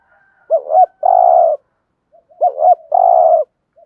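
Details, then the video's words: Caged spotted dove used as a decoy to lure wild doves, giving its driving coo: two quick hooked notes then a long level coo, phrase repeated twice with a pause between. "tieng chim cu gáy thúc gù, chim cu gáy bài bản giúp bổi nhanh nổi"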